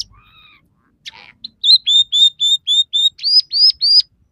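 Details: Scaly-breasted munia, a persistent singer with three song variations, its song said to include sparrow, red siskin and canary imitations. Soft wavering notes lead into about ten clear, high whistled notes repeated evenly, the last ones rising and slurred.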